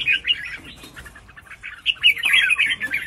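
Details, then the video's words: Female red-whiskered bulbul, caged, used to prompt males to sing; continuous rapid warbling and chattering notes throughout, loud and busy, over low background noise. "Đây Là Tiếng Kích Chim Bạn Ra Giọng | Chào Mào Mái Kích Trống"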